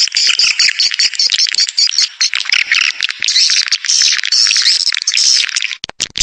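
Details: Lure recording for swiftlets, packed with fast, high, scratchy chirps and twitters that pour out almost without pause, then break off into a few isolated clicks near the end.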